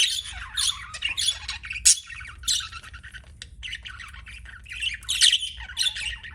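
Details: Budgies kept as pets give harsh squawks and scratchy chirps in irregular bursts, about one or two per second, over a faint low hum.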